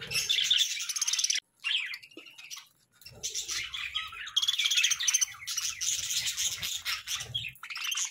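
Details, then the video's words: Morning budgerigar chirping: long stretches of buzzy, trilling chatter full of fast repeated notes, one abrupt silence early on, faint low thumps beneath. "Morning Budgie Sounds 🦜💕 | Bird Chirping Sound for Relaxation"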